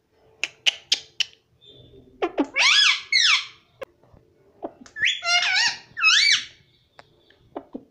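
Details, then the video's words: Talking pet parrot indoors mimicking "mummy" and "papa": short clicks, then nasal, speech-like harmonic syllables in two bursts, with wavering, bending tones, and a few sharp ticks at the end. "parrot talking mummy papa || मम्मी पापा बोलता तोता"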